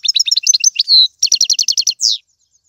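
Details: European goldfinch, Algerian tiwawati, galoubi and serfati song: quick descending chirps, a long whistled note, then eight evenly repeated sharp notes and a final slurred note.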